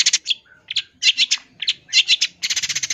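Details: Long-tailed shrike song with full mimicry fill-ins, a champion bird used as a tutor recording: bursts of harsh, buzzy high notes in quick clusters, separated by short pauses, ending in a fast rattling series.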